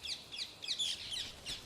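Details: Rose-ringed parakeets from a feral colony in the canopy of Père Lachaise cemetery, Paris, descended from birds that escaped at Orly airport in the 1970s, give about five shrill, harsh, grating screeches in under two seconds.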